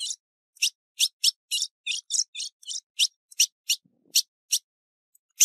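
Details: Female ultramarine grosbeak calling and chirping, recorded 15 June 2019: spaced, sharp, high chip notes with a few buzzier clustered ones, irregular in timing and ending in a loud final chirp.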